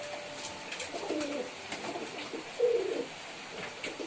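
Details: Pigeon gives a rolling, throaty coo with a brief trill near the end, preceded by softer murmuring coos and faint tapping sounds in an enclosed space.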